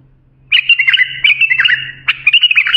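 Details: Bulbul singing a creative phrase (lisanat) used for training young bulbuls: a continuous warbled, bubbly run of quick rising and falling notes lasting over two seconds, with a short break and a steady low hum underneath.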